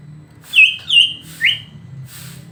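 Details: Provocation song of the greater green leafbird: three loud, separate whistled notes about half a second apart, the first two wavering and the last sweeping upward, over a soft low hum.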